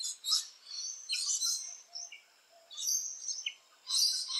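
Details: Rainbow lorikeets at nest holes: piercing, rasping screeches in three bursts, with a short whistled squeal between them and brief pauses.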